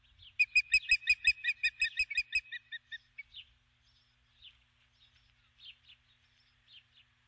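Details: At dusk on her nest, a female osprey calls for her mate: about two seconds of loud, rapid, shrill whistled peeps, fading into scattered softer chirps with quiet pauses.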